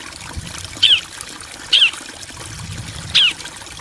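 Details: Bar-winged prinia, male and female answering each other, recorded as training audio for caged songbirds: three separate sharp downslurred high notes, spaced roughly a second apart, over a soft steady background hiss.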